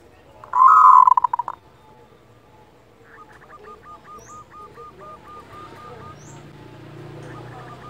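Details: A local zebra dove gives the kerot call, played to raise breeding desire and emotion: one loud rolling coo with stuttering pulses, followed by a long, softer, rapid train of identical hooked notes.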